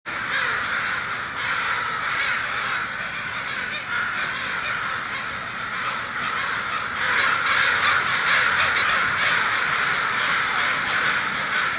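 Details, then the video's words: Crows cawing as they fly off, a dense flock calling over one another in a continuous hoarse chorus that swells louder toward the end. "Crows CAWING FLYING Off"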